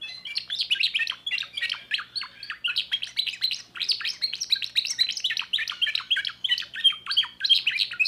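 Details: Timbrado canary, a young bird from 2024, singing continuously in fast rolling trills, with bursts of sharp, downward-sweeping notes repeated several times a second, steady and loud throughout.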